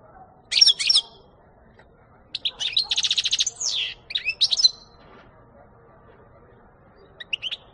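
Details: Singing European goldfinch, 2018 recording: a sharp tinkling phrase, then a stretch of song with a rapid buzzy, rattling segment and lively twittered notes, ending with a few soft chirps after a pause.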